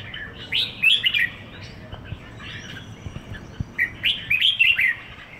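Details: Red-whiskered bulbul (merbah jambul), a bird kept for one week in Singapore, singing short, bright chirping phrases that rise and fall, in two clusters about three seconds apart, over a steady low background hum.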